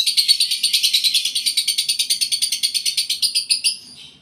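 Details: Lovebird in breeding condition, caged, delivering an unbroken rapid string of rasping, buzzy chirps, many per second, that fades away at the close.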